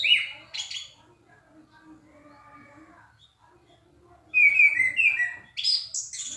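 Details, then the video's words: After a quiet start with a brief note, an orange-headed thrush bursts into loud, clear song of sliding whistles and quick high twitters near the end. "Anis kembang gacor dor suara keras dan jernih"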